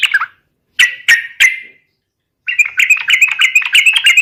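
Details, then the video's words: Bulbul known locally as trucukan, singing to provoke rivals into fighting: a few isolated sharp, slurred calls, then a quick run of bright, bubbling chatter. "SUARA trucukan gacor TARUNG MEMANCING LAWAN"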